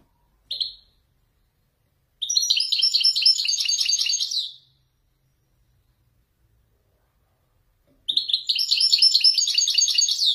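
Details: Male European goldfinch, Wijdani type, Morocco, in Marrakech-style descending song: a single short call note, then two long bursts of rapid, bright, jingling twitters separated by a silent gap of several seconds.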